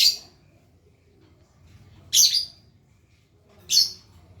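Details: Lovebird practising the ngekek long trill, producing just three separate, sharp, high squawks with quiet pauses between them.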